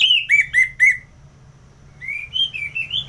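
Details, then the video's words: Ngeplong song from a kept Orange-headed thrush, Singaraja, North Bali: four clear down-slurred whistles about a quarter second apart, a silence, then a softer rising and falling warble. "ANIS MERAH Ngeplong"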